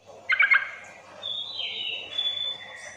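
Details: Sooty-headed bulbul call used as a lure to prompt quiet bulbuls to answer: a quick bubbly burst of three or four notes, then a long whistled tone sliding downward, over faint steady background hiss.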